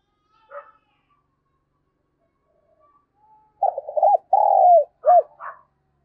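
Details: Spotted dove giving a lure call, the gọi mồi and thúc bổi style: after faint scattered notes, a loud cooing phrase of several hollow, wavering notes, then a long drawn coo and a short final coo near the end.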